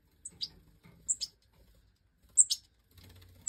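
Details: Major-variety European goldfinch chicks, captive bred in an aviary in 2024, being fed by the hen after leaving the nest; five chicks present. Thin, very high, piercing chirps sliding downward come in quick pairs, four pairs across a few seconds, over a quiet background.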